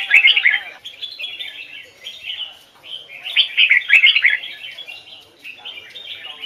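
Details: Red-whiskered bulbul singing a standard double-note song of the Hoài Sơn forest type, for bird training: a strong warbled opening, then lighter chirps leading to a second loud, bubbling flourish mid-clip.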